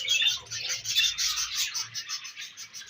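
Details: Budgies at their favourite food keep up continuous raspy, buzzy warbling chatter with quick pulsing chirps and no pauses.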